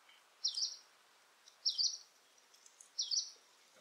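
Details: Hume's leaf warbler, a late autumn migrant to the UK (late October–November, sometimes overwintering), gives its call, distinct from yellow-browed warbler: three short, high, slightly descending notes, roughly one every 1.3 seconds, against a quiet background.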